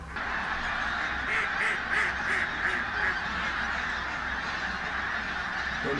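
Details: Pink-footed geese flying in and out of Martin Mere WWT Reserve, Lancashire, on a bright 8 October 2012. A run of distinct honks, several per second, rises clearly above a softer, ongoing flock chatter.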